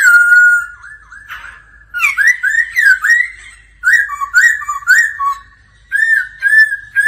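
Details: Laughingthrush singing in daily voice practice with a female's 'ro ro' calls: a long steady whistle, then short groups of bright, slurred warbling notes separated by brief silences, loud and clean with no other noise.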